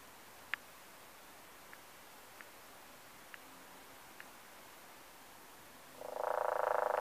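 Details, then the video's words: Downy woodpecker at Iroquois Park on 15 December 2015, giving sharp single pik notes, one loud then four softer about a second apart, ending in a loud, rapid rattling burst. "Downy Woodpecker"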